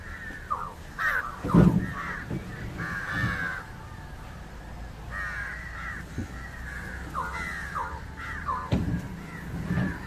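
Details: Indian jungle crow (Corvus culminatus) calling while feeding on fish: a run of harsh, rasping caws in short bursts through ten seconds, with a few low knocks underneath.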